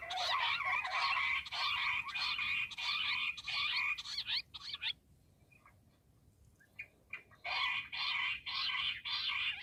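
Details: Bush quail sound used for hunting: dense harsh, buzzy chattering in rapid pulses, breaking off into scattered short notes before the loud raspy chorus resumes.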